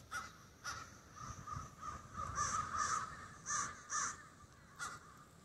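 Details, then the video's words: Crows roosting together in snowy Denver give loud, raspy caws in irregular bursts, some paired in quick doubles, with brief quiet gaps between them and a soft low background. "Murder of crows roosting in the Denver snows"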